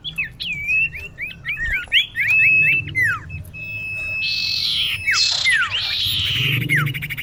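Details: Female common iora calling a male, as a lure for bird trapping: a rapid run of varied looping and falling whistles, a long steady whistled tone, then harsh buzzy bursts and downward slurs.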